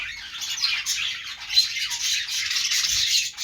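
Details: Steady flock chatter of budgerigars, a continuous scratchy high warbling with squawky notes rising and falling without pause.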